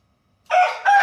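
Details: Rooster crowing, one of several varied chicken crows: a short, loud, harmonic crow in two bursts, the first strong note sustained briefly, then a slight dip before a second bright surge that cuts off abruptly; quiet background.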